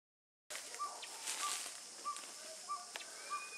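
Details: A Northern Pygmy-Owl, heard and then seen about 09:45 on 10 June 2011 on the Bledsoe Loop, Ramsey Canyon Preserve, southeast Arizona, gives short, even, hollow toots about every two-thirds of a second over a steady hiss.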